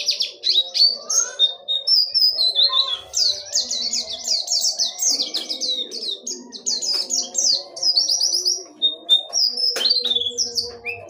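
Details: Dakun wilis ngerol nembak song of an Oriental white-eye: fast rolling series of thin, high chirps and sliding whistles, bursts of quick repeated notes strung into a continuous chattering stream, low murmur behind.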